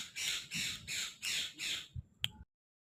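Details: Talking parrot saying "mian mitthu": five harsh, raspy, broadband syllables spaced about 0.4 seconds apart, followed by a couple of soft clicks and then silence.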